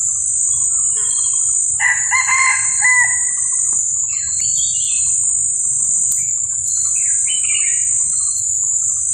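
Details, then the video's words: Red junglefowl giving a crow of stacked, layered tones that lasts about a second and a half, over a constant shrill insect drone with scattered short bird chirps afterward. "ไก่ป่า ขันเสียงดีมาก"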